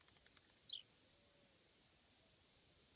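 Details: Roadside fence perch of a blue-black grassquit. One song opens the recording with rapid ticking clicks that build into a brief, intense, descending buzz, followed by two seconds of near silence with faint ticks.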